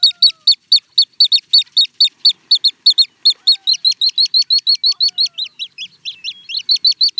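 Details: Song of the little stint: a sustained run of high, clipped, downward-flicking chirps repeated about twice a second, later quickening into paired notes, with faint distant lower whistles.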